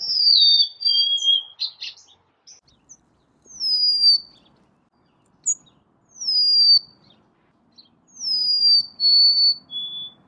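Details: Golden-crowned sparrow repeating short whistled songs, each a clear note gliding downward, sometimes ending on a lower held tone, with brief high chips between phrases in a quiet setting.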